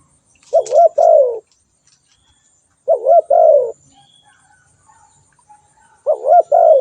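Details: Spotted dove calling: three low, mellow two-part coo phrases, each a short hooting note followed by a longer, falling, slightly buzzy coo. Phrases repeat roughly every three seconds, with silence between.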